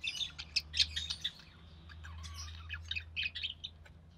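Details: Budgie chick of the recessive pied variety being fed by its albino red-eye mother; quiet, scratchy chirps and twittering bursts over a steady low electrical hum.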